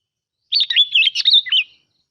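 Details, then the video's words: Sooty-headed bulbul (bông lau) song used as a lure: one quick, bubbly phrase of warbled, chattering notes with rapid up-and-down whistles, lasting about a second and a quarter against a silent background. "Tiếng Chim Bông Lau Mồi"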